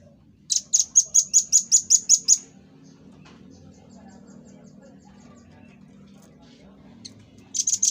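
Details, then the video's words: Master-song recording of a red-billed scimitar babbler for cage-bird training: eight fast, piercing high notes repeated evenly over two seconds, a long low-level hush, then the series starting again. "Tembakan Dan Suara Khas Burung Rambatan Paruh Merah l Burung Masteran"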